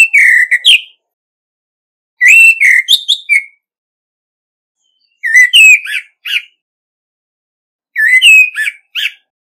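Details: Orange-headed thrush, decoy bird, singing in a contest with no background noise: four phrases roughly every two to three seconds, each of sweet whistles ending in quick sharp chirps.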